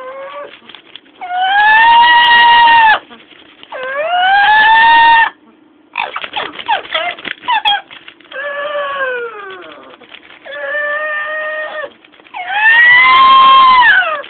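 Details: Captive female Amazon parrot mimicking sirens, brakes, dogs and monsters, producing long siren-like harmonic wails that rise and fall, separated by clicks and harsh rasping notes, with brief pauses between imitations.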